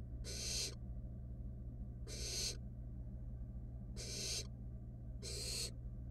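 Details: Barn owl nestlings in a wild nest box, a rat stolen by one sibling from another; four drawn-out hoarse hissing screeches evenly spaced about every two seconds, steady low hum behind.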